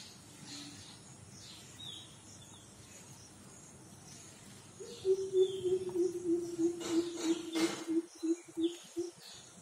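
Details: Greater coucal, known locally in Hindi as Mahop, calling in the morning: after a quiet stretch with faint insect buzzing, a rapid series of about a dozen deep, booming hoots runs steadily for four seconds.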